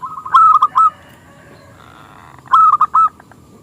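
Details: Local zebra dove singing in a small, crystal-clear voice to draw rival doves into song: two loud stuttering phrases of bright coos separated by a quiet gap.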